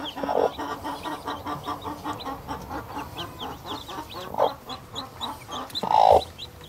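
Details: Very aggressive, protective mother hen in the nest with her newborn chicks: rapid, steady low clucking about four times a second, broken by a few louder harsh squawks, with the chicks' high thin peeping throughout.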